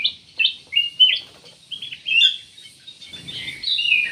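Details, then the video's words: A black-capped bulbul sings short separated whistled notes in a bouncing sequence, pausing briefly before a final run of slurred, falling phrases. "BURUNG CUCAK EMAS / KUTILANG EMAS"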